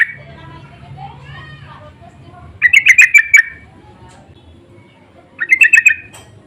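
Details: Insistent lure calls of sooty-headed bulbuls answering each other: two bursts of rapid, bubbly chattering notes, each burst about a second long, separated by a quiet gap.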